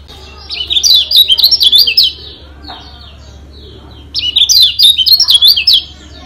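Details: Lemon-bellied White-eye (Lombok yellow white-eye) giving two fast bursts of high, twittering warbles, each about a second and a half, over a faint low hum; a song used as a tutor recording to make birds sing and spar.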